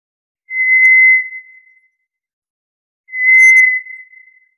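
White's thrush gives two long, thin, level whistles, each over a second long, with a pause of about two seconds between. The night is otherwise silent.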